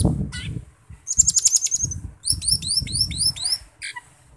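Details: Asian glossy starling (camperling) in gacor song for use as a lure. A buzzy rapid rattle, then a run of quick rising high chirps. Low fluttering and rustling noises mix in throughout.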